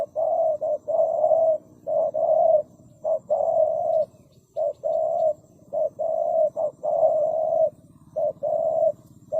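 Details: Low repeated cooing of a spotted dove, short notes alternating with longer sustained ones in an irregular run, with a faint low hum underneath.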